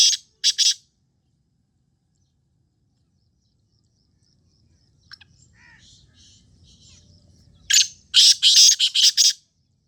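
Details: Calling black francolin: two clipped harsh notes, a long quiet stretch with faint low rumble and soft chirps, then a dense grating burst of about seven rapid rasping notes.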